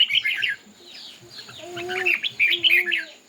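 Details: Dense, rapid warbling from a red-whiskered bulbul in a singing contest, bright jumbled notes tumbling together, joined by two lower drawn-out tonal sounds near the middle and end.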